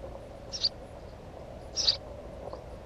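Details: Two brief, sharp, high-pitched chirps from a house sparrow near its nest, separated by just over a second, with quiet background noise.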